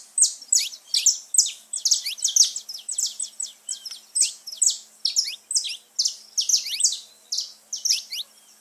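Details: Saffron finch song played to get pet birds singing: an unbroken stream of buzzy high downslurred notes, several per second, fading slightly at the end.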